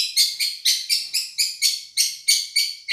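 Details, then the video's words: Madura long-tailed shrike in a masteran song-tutoring recording: a fast, even series of about twelve sharp, buzzy chattering notes, roughly four per second, on a clean quiet background. "Masteran | Suara Juara Nih!!! Cendet Madura"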